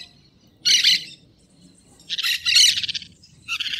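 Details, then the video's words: Green parakeets singing in the wild: three loud, harsh, screechy bursts, the middle one longest and grating, separated by quiet pauses, with a faint low rumble underneath. "Periquito Cantando na Natureza"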